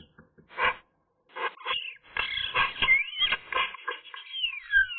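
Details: Eurasian magpie singing on a sunny day, recorded by camera: a varied medley of harsh chatter and raspy notes mixed with thin gliding whistles that rise and then fall.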